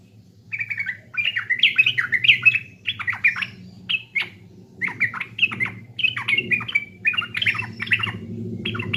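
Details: Sooty-headed bulbul (trucukan) from East Java, a pancingan lure song: lively bubbling phrases of rich, liquid, warbled notes, each dipping and rising, delivered in quick bursts almost continuously for nine seconds over a low background hum.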